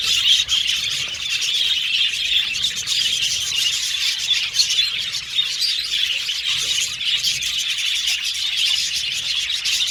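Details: Budgerigars chirping: a dense, unbroken chatter of high twittering notes and short squeaky chirps from many birds, steady in loudness throughout, with no other clear sounds.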